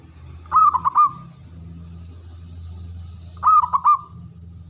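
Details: Two cooing phrases from a male zebra dove, each a burst of stuttered notes fading into a held tone, about three seconds apart, over a steady low mechanical hum.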